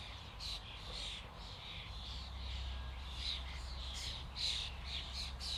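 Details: A common starling flock produces rapid, overlapping shrill chirps and harsh squeaks in quick pulses, growing busier toward the end, over a low steady hum.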